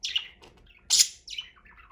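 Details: Pet budgerigars hanging out on cage ledges give scratchy, high bursts, a loud harsh squawk, then quick falling warbled notes, all in about two seconds.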